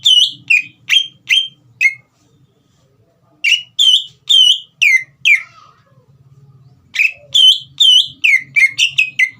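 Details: Green leafbird song used to provoke a young bird to sing: runs of loud whistled notes, some falling, others rising, separated by a pause of about a second and a half, then a dense fast sequence; soft low hum throughout.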